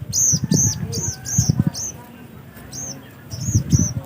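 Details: Black-capped white-eye giving repeated high, arched, thin whistled notes in quick pairs and short series, over a background of low murmuring voices and bumps.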